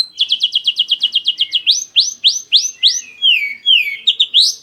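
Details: Black-winged starling song, recorded as a lure: a quick row of bright chipping notes, then strong rising whistles, then drawn-out falling slurs and a final burst of chips.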